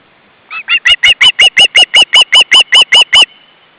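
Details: Osprey at a nest shared by two adults and three chicks, 29 August 2012 at 17:18: a fast series of about fifteen sharp, whistled, downslurred notes, evenly spaced and growing louder before stopping.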